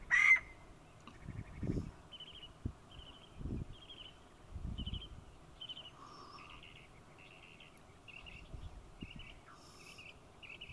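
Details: Scaled quail calling: short nasal, buzzy notes, often paired, repeated steadily about twice a second at a high pitch. A lower, brief burr sounds near the middle, with soft low thumps and rustling throughout.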